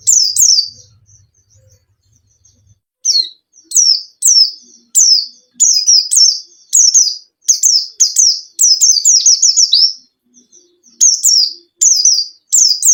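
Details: White-eye lure song for a caged bird that won't sing: after a quiet start with a faint low rumble, a long run of high, slurred, chirpy notes repeats in fast bursts.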